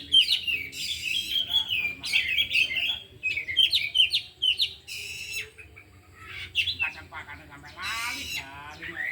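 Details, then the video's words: Four caged oriental magpie-robins training together in the afternoon, all singing and pouring out their mimicked repertoire: bright, loud whistled phrases with rapid scratchy trills and squawky notes, coming in bursts with brief quieter gaps. "Latihan Kacer di Sore Hari Biarpun Hanya Burung 4 Tapi Jalan Semua dan Bongkar Isian"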